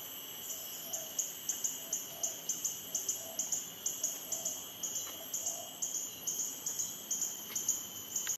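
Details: Female copper-throated sunbird calling from her perch at Sungei Buloh Nature Reserve, Singapore, where the species nests yearly: very high, thin chips in a quick, uneven series, two to three a second, over a steady insect drone.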